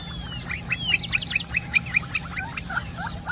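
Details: Campo flicker: a rapid run of sharp, scratchy, repeated call notes with some overlap, irregular in timing, over a constant low hum in the background.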